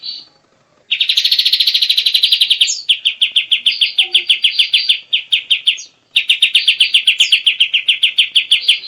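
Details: White-shouldered triller singing: a loud, rapid high trill of about two seconds, then a slower run of sharp repeated notes, a brief pause, and another long fast trill. No other sounds intrude.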